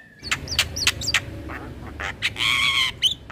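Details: Javan myna song used as a lure for mynas and starlings: sharp clicks and short whistled notes, then a harsh, buzzy squawk with layered tones, followed by a brief whistle.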